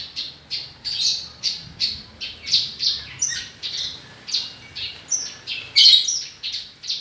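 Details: Australasian bushlark (Mirafra javanica), a kept songbird, repeating loud high chirping notes about every half second, each rising then falling, with squeaky flourishes between them; no other clear sounds.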